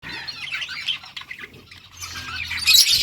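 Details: Several yellow budgerigars recorded August 6, 2024, chattering in a dense stream of scratchy, warbling chirps, swelling into a louder, shriller burst near the end.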